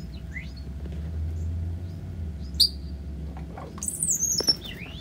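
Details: Pet cowbird during flight: scattered short high chirps, then a loud thin whistle that slides downward near the end, over a steady low rumble.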